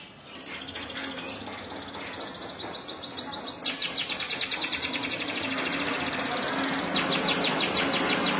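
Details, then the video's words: Local canary singing steadily: rapid, high, evenly spaced trilled notes begin after a hushed start and grow louder, with a brief pause before a final fast trill, over constant hiss. "suara burung KENARI lokal gacor"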